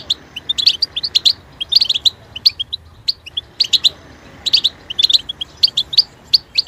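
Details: European goldfinch delivering continuous jingling song, rapid high chirps and ticks in repeated bursts, with a brief softer stretch near three seconds.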